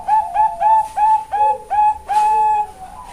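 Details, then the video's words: Female zebra dove (perkutut bangkok) at a bird farm in Kebumen, Indonesia, sings six quick ringing coos followed by one longer sustained note that slides into a softer low tail. "SUARA PERKUTUT BANGKOK BETINA SUARA LENGKAP TENGAH BANYAK RING"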